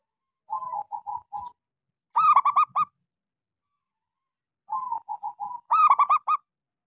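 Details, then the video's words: Local zebra dove, a keen singer with a small voice, used as a lure for non-singing doves: a gentle, even run of low coos leads into a loud, rapid, rolling coo burst, the pattern given twice. "Suara pancingan Perkutut lokal gacor suara kecil"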